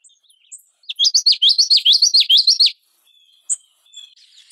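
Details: Common yellowthroat song: one clear run of about six rapid, repeated swooping notes over nearly two seconds, a rolling, chanting rhythm, followed by a short high chip and soft background twitters.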